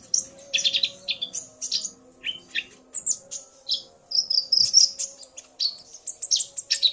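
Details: A male common iora, triggered by a female's calling, in back-and-forth exchange with her. Dense high chatter and short rising whistles tumble in uneven bursts, with a slurred whistle run near the middle and a faint steady hum behind.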